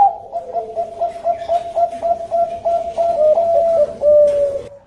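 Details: Bangkok zebra dove (perkutut Bangkok) singing as a lure: quick rhythmic chain of soft low coos, about three to four per second, swelling louder toward the end and closing on a longer sustained note.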